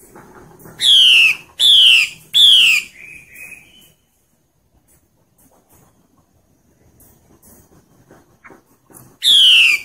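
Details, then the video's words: Wild female hwamei in forest during breeding season, calling to lure males: three loud harsh descending notes in quick succession, then a long quiet gap with faint distant chirps, and one more harsh note at the end. "Họa mi mái trùy hay trong rừng dụ trống hót hay"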